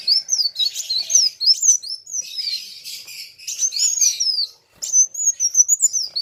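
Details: Two sunbirds, known locally as kolibri wulung, in a lively singing duel with a rival: sharp, high, wavering whistles and chittering notes tumbling together, with a brief pause near the end before a fresh phrase.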